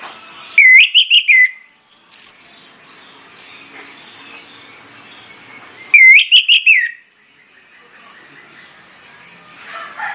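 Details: Orange-headed thrush delivering a loud, persistent lure song to spur other birds: two bursts of rapid whistled and chattering notes several seconds apart, with faint background chirps between.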